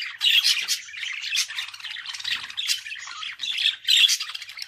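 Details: Pet budgerigar in a continuous, dense scratchy warble of rasping squawks and buzzy chirps, without breaks.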